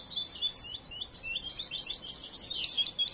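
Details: Unfinished song of a young European goldfinch still being trained: dense, high tinkling chatter of rapid chirps and slurred notes running without a break.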